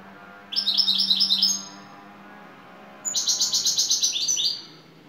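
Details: European goldfinch from Turkey, a top-class 'baş kuşu' singing in the şakşaklı style: two bursts of high, rapid chattering notes, each about a second long, separated by a pause, over a faint low hum.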